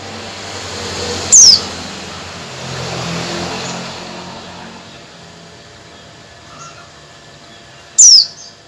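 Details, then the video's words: A female Oriental white-eye calling to a male gives two high, thin, quickly falling notes about seven seconds apart, over a low rumble of distant traffic. "PLECI BETINA MEMANGGIL JANTAN"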